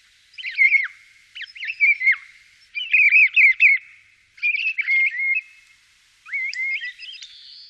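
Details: Song of a common starling, Wittlich, 2017: a series of warbled, twisting phrases of quickly rising and falling whistled notes, mixed with clicks, five phrases of about one second each at irregular spacing.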